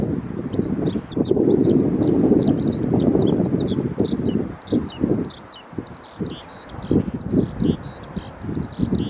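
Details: Eurasian skylark by the Tama River: continuous, fast stream of chirruping and trilled notes, high and unbroken throughout, over loud low rumbling wind or traffic noise.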